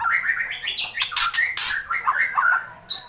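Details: Agitated white-rumped shama, kretekan style: a dense mix of harsh broadband rattling bursts and short chattering warbled notes, delivered rapidly without pause.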